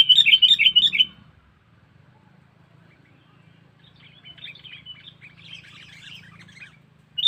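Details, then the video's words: Sooty-headed bulbul call used as a lure to attract wild birds: a loud, bubbly burst of quick chattering notes lasting about a second, then fainter scattered chirps, and another loud burst at the end, over a low steady hum. "Suara Burung Kutilang Pikat Cengkeram"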